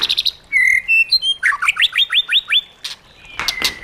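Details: Caged white-rumped shama singing wild-style song for training: clicks, then a clear whistle, a fast run of about six rising notes, and a final whistled note.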